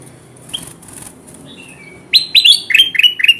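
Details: Kutilang emas bulbul, recorded as a lure to draw wild birds to sticky traps: after quiet wingbeat-like rustles, a fast run of about six loud, chirpy, downward-sliding notes in quick succession.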